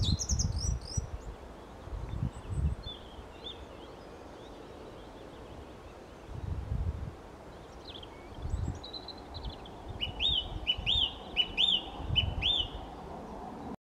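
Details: A song thrush (Turdus philomelos) sings on 5 May 2020, loud, clear whistled phrases ending with a short, high note repeated several times, over a low wind rumble.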